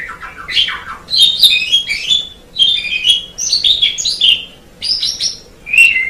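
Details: Asian pied starling singing as a tutor recording for other birds: a loud, continuous run of varied whistled, chattering and squeaky notes, with rapid rising and falling phrases broken by brief pauses.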